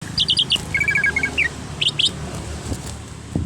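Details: Greater green leafbird (cucak hijau), an untrained bird being brought to sing freely: quick bright chirps and short whistled notes in a burst over the first second and a half, then a few sharp high notes, with a low hum behind.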